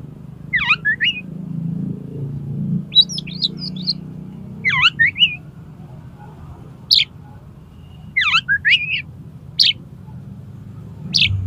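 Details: Kacer, the Oriental magpie-robin, singing to challenge a rival into a fight: sharp falling-and-rising chirped phrases separated by pauses of about a second or two, low steady hum throughout.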